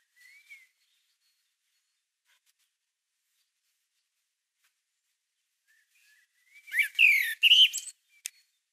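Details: Common Blackbird (Turdus merula) song recorded in March 2020 on a Canon PowerShot SX620 HS: a faint soft note at first, long quiet, then one rich fluted phrase breaking into a scratchy twitter near the end.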